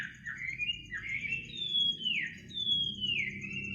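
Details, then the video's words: Night-time bird singing at midnight: long slurred whistles that climb, hold, then slide downward, repeated several times over a low background rumble. "kicau burung di tengah malam"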